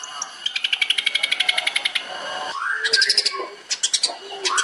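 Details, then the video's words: Long-tailed shrike 'tembakan' song for training other songbirds: a fast series of sharp clicking notes, then rising slurred whistles mixed with short buzzy trills. "CENDET SPESIALIS TEMBAKAN"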